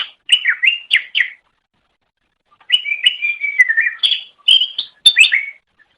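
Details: Masteran recording of a greater green leafbird for teaching caged songbirds: two bursts of quick, warbling whistled notes that rise and fall, with a silent gap of over a second between them.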